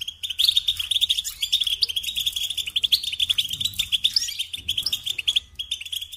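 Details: Continuous goldfinch song, a dense, fast stream of sparkling chattering notes and buzzy trills that barely pauses across the whole stretch.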